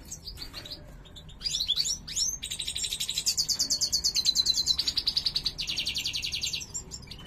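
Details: Female European goldfinch in breeding condition giving the cruaca: after a few twittered notes, a long, buzzy, rapidly pulsed trill runs steadily for several seconds, shifting pitch midway.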